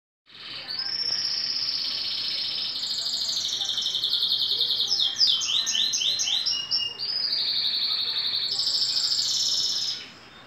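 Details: A two-year-old green canary sings while in moult; a long continuous song of sustained high trills, with a run of rapid descending notes in the middle and loud steady rolling phrases throughout.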